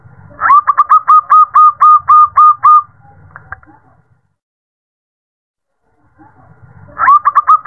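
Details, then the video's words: Zebra dove female calling to a male at night: a fast run of about eleven clipped, mid-pitched coos at a steady pace, a long silent gap, then a new burst of coos starting. "Terapi perkutut malam hari | suara betina memanggil jantan"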